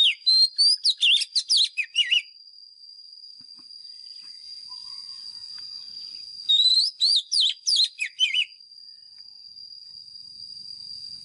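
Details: Decoy Oriental magpie-robin singing its fighting song for training caged birds. Two quick bursts of bright, twisting whistled phrases, each about two seconds long, separated by a pause. A constant thin high tone runs throughout.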